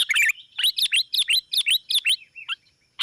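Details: Sooty-headed bulbul lure recording used to call in rivals. Bright, clear chirping notes with quick rising-and-falling whistled inflections, delivered in rapid paired bursts about every quarter second, ending in a few softer trailing notes.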